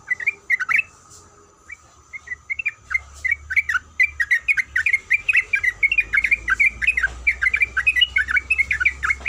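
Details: Female sooty-headed bulbul in breeding condition calling the male: a few scattered bright chirps at first, then a dense run of rapid 'kuik' notes, warbling up and down, over a faint steady hum and low rumble.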